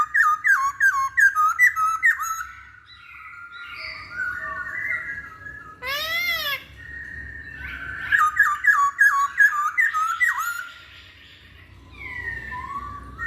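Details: Masked laughingthrush song played to stir other birds into singing. Bright hooked whistles are repeated quickly in two long runs, separated by a single strained, harmonic-rich squeal and quieter warbling.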